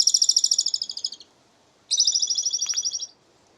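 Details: Asian pied starling singing in a way said to sound like a person laughing: two bursts of rapid, evenly repeated high chattering notes, each run lasting over a second and fading toward its end, separated by a short silence.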